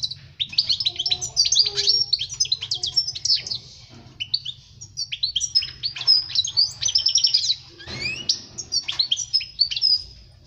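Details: European goldfinch song for teaching young birds to sing: long fast twittering sequence of tinkling notes, buzzy trills and rapid up-and-down slurs, with one sweeping rising whistle near the end.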